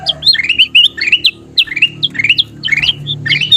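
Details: Golden kutilang bulbul in full, vigorous song, meant for training caged birds. Busy, slurred whistles and squeaky notes tumble together almost without pause over a faint hum.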